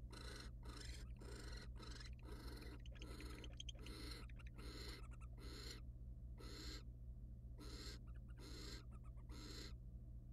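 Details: Wild barn owls in a monitored nest box, male mating with a female and then preening her feathers; rapid run of about sixteen harsh, breathy hissing bursts, some overlapping, over a steady low electrical hum.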